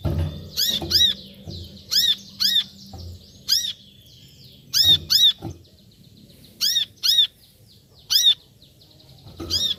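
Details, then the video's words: Brown-throated sunbird calling, sharp high arched notes given singly or in pairs at irregular intervals of one to two seconds, each with a bright descending sweep, over a faint background hum and occasional low thumps. "Suara Panggilan Burung Kolibri Kelapa"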